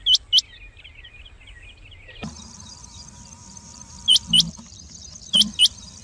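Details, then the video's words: Rain quail call played as a lure for trapping quail: sharp, high, upward-sweeping notes in doubled pairs, three pairs spaced one to two seconds apart, over a faint twittering trill and a steady electrical hum that begins partway through. "Rain Quail sound 2025,Chinga batair ki awaz,Rain quail hunting"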